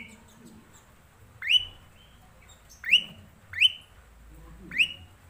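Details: Black-collared starling (jalak suren) repeating a clear rising whistle four times at uneven intervals of about one second, with soft low background noise.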